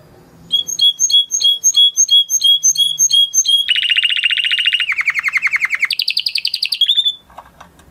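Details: Male canary song opening with spaced sharp chip notes about three per second, moving into dense rapid buzzy rolls that step down and then up in pitch before a final short whistle.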